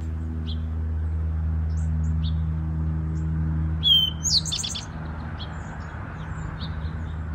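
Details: Woodland Eastern towhee singing to defend a nesting territory: a bright slurred opening note leading into a rapid buzzy trill, delivered once, with scattered soft chips before it and constant low hum.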